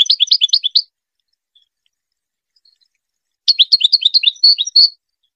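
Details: Goldfinch song used for teaching hybrid chicks to sing: two bursts of rapid, high twittering chirps, a short one at the start and a longer one after a three-second pause, with otherwise clean silence.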